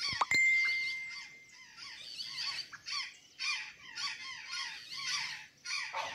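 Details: Azure jay at a feeding spot with banana and sweet potatoes in Santa Catarina: a sharp click and brief clear whistle open, followed by grating, descending calls in uneven bursts.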